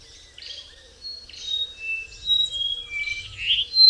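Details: Brown-throated wattle-eye, not a migrant, heard on travels: melodious whistles alternating high and lower tones, building in loudness toward the end, with a quiet background.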